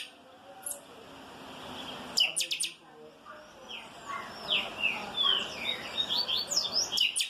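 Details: 'Calçada baixa' song style of the chopi blackbird: a burst of sharp clicks, then a run of fluty whistled and chattering notes rising and falling, ending in another clicking burst.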